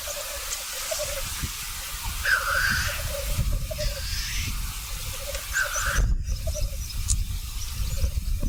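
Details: Black grouse lekking in North Wales give a steady, dove-like bubbling rookoo, broken every few seconds by a harsh sneezing hiss, over low wind rumble.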